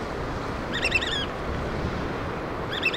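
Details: Black oystercatcher at a nest feeding chicks gives a short rapid run of high piping whistles, then a second burst starts near the end, over surf and wind noise.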